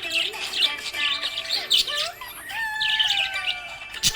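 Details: Happy pet budgerigar chirping: bursts of high, scratchy warbling chatter and short squeaks, with steady tonal music playing underneath.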